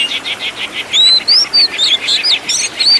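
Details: Oriental magpie-robin master song, rich 'isian tembakan' style used to train caged birds: a fast run of repeated chirping notes, about four per second, then loud clear whistled sweeps rising and falling, interspersed with short buzzy trills.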